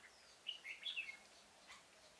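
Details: Red-whiskered bulbul decoy used for trapping in a pomelo garden on 25 October 2017. It gives a single short, bubbly phrase of a few bright slurred whistles.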